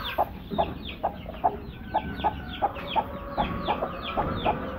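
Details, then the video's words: Pair of broody hens sitting side by side; regular brief clucks about twice a second, with many high downward-sliding peeps behind them. "Broody Hens"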